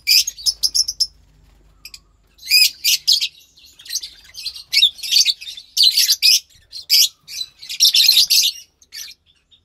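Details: Lovebird chicks, a pair hatched from white pastel violet and pastel mauve parents, March 3rd, 2021: a steady series of harsh, buzzy chirps in short rhythmic bursts, growing denser toward the end.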